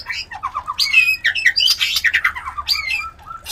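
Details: White-rumped shama mating call meant to put other shamas in breeding mood: rough squawking chatter mixed with short falling notes, fading toward the end.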